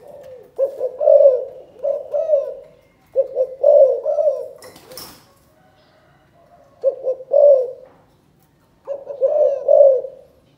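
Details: Spotted dove from Cần Thơ, Vietnam, giving a calling coo in the style called chụp chụp ô: four low, throaty phrases of stuttering coos ending in a drawn-out note, separated by pauses. A brief click sounds midway.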